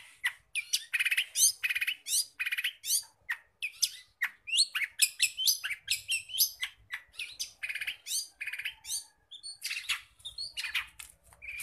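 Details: Long-tailed shrike (Lanius schach) in fast, unbroken mimicry song: scratchy notes mixed with clear whistles and rapid trills, phrases changing every second or so. It is used as a master recording to get other shrikes singing.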